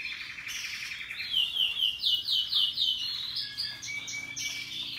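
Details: Russian yellow canaries and Timbrado canaries singing happily: rapid high trills and rolling twittered phrases, with a run of bright repeated notes in the middle, shifting pitch from phrase to phrase over a quiet background.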